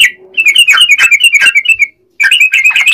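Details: Trucukan, the yellow-vented bulbul, singing lively: a string of sharp, slurred chirps, some dropping in pitch, rolling quickly for nearly two seconds, a short silence, then another burst of quick chattering notes.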